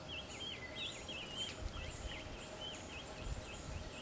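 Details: Crimson rosella bathing at Distillery Creek Picnic Area, Great Otway National Park, Victoria, Australia: a quick run of short, bright, bouncing chirps, several each second, over a low rumble of water or wind.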